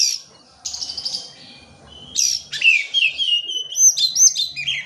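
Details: Oriental magpie-robin song used to prompt reluctant birds into singing: harsh buzzy bursts, then a varied run of high sweet whistles and quick downslurred notes, rich and rapidly changing.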